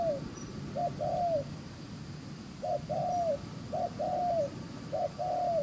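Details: Field-caught spotted dove giving fast 'gù xiết' coos: paired phrases of a clipped note and a drawn-out, downward-sliding coo, separated by short pauses, over a constant low background rumble.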